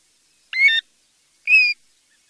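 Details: Two mellow, slightly falling whistled calls from a European golden plover, about one second apart, clear and unaccompanied in a quiet setting.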